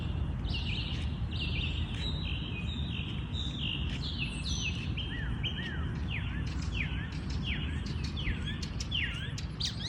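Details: Morning birdsong in a natural habitat, several birds chirping together: short downslurred whistles and quick high chips overlapping throughout, against a constant loud low-pitched background hiss.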